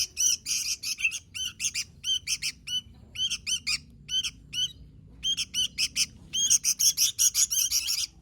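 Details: Sooty-headed bulbul in active song: rapid bursts of sharp, squawky chirps about three a second, grouped into clusters separated by short gaps, bright and high-pitched against a quiet background.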